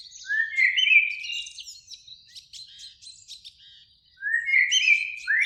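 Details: Eurasian blackbird, one of two singing in a springtime beech tree near a lake at sunset; a rising fluty phrase with a high twittery tail, then other birds' rapid high chips, then another fluted phrase.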